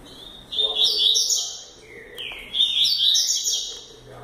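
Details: Young double-collared seedeater in training, described as a future fast-singing champion, delivering two quick warbled phrases of high, sweet notes that slide and flutter, separated by a brief lower note.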